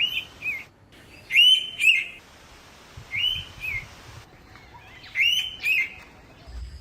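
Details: Indian Navrang, the Indian pitta, singing in Jharkhand forest near Ranchi: loud two-note whistled phrases, the second note slurring downward, repeated about every two seconds, three phrases in all, with faint background noise.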